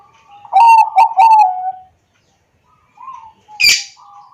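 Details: Bangkok-type zebra dove (perkutut bangkok) in Wiradesa, Pekalongan, Central Java, recorded on an Android phone as a lure to get lazy doves singing: three loud pulsed notes run into a drawn-out coo, a soft note follows, then a sharp rustling burst.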